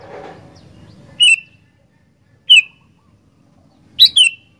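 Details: Sooty-headed bulbul singing actively: three sharp, bright notes, each sliding downward, spaced over about three seconds, with a low murmur at the start and quiet pauses between.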